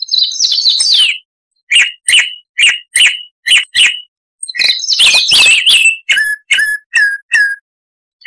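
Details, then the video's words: Coarse Chalk-browed Mockingbird (Mimus saturnin) song used to tutor cage birds: a jumbled descending rattle, a series of evenly repeated harsh notes, a noisy scratchy burst, then several thinner down-slurred notes repeated about twice a second. "Masteran Burung Luar Negeri Suara Kasar - Chalk-browed Mockingbird"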